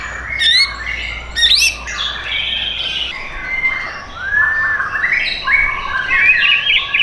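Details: White-rumped shama kept caged at a bird shop in Tangerang Selatan, Indonesia: harsh squawking notes at first, then a varied run of scratchy chatter and sliding whistles.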